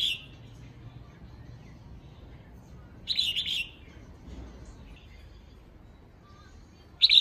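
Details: Female red-whiskered bulbul giving her call to excite males, a brief warbled phrase at the start, another full chirpy phrase in the middle, and a third beginning at the end, over quiet background.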